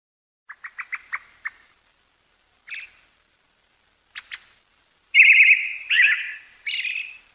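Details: Brown-headed thrush, a wintering bird, recorded on 20 December 2022 in Pingtung County, Taiwan: a quick run of five or six clicky ticks, two isolated short notes, then three loud, buzzy, drawn-out calls in the final seconds.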